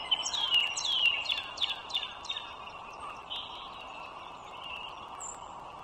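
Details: Bald eagles, a wild pair living by a northern Virginia toll road, recorded on a March 2023 morning: a burst of sharp, squeaky descending whistles in the first half, fading into softer notes against continuous traffic rumble.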